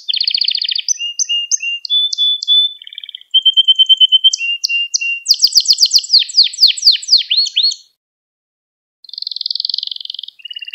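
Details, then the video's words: Pet canary song meant as a singing lesson for young canaries: varied rolls, chips and clear whistled tones, then a burst of rapid swooping notes, a short silence and a new buzzy roll. "Müthiş Ders Gibi Kanarya Sesi Ve Ötüşü"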